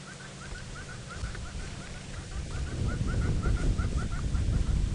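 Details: Distant red-billed and yellow-billed hornbills give steady short clucking notes, about three a second, over zebras grazing and rustling through grass nearby, on a sunset drive in golden light, Sabi Sand near Kruger, South Africa, 17 June 2017.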